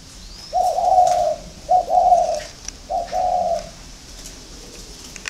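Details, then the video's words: Spotted dove competing against a ground decoy bird: three low, mellow coo phrases, each a short note run into a longer sustained hoot, spaced about a second apart, over faint background hiss. "đấu với mồi đất"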